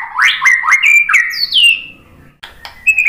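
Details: Lure song of the murai batu (white-rumped shama): a quick run of rising whistled notes and descending slurs, a brief lull, then a few short, clear whistles.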